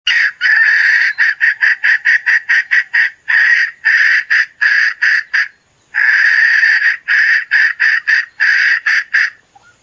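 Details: Hen calling in a long run of harsh, nasal, clucking notes repeated about three to four times a second in bursts, with one short pause midway; no other sounds.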